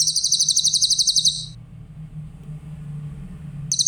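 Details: Grey-headed canary-flycatcher singing clearly, used for training other songbirds: a fast, high, buzzy trill of about a dozen notes a second, then a pause with low hum before the trill starts again.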